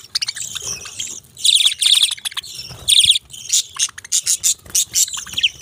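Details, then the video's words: Budgies giving high, scratchy chirps and warbled chatter in uneven bursts, with short clipped notes toward the end and faint low background rumble. "Beautiful Chirping Sounds relaxing Voice"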